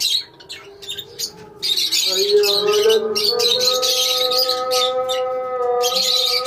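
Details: Lovebirds in a colony, with sharp squawks and busy high chirping that swells after a quieter start, over a steady tonal drone.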